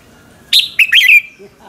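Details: Morning song of a red-whiskered bulbul, a lure recording for training birds: one short phrase of three bright, slurred whistled notes, the last trailing downward, with faint soft sounds after.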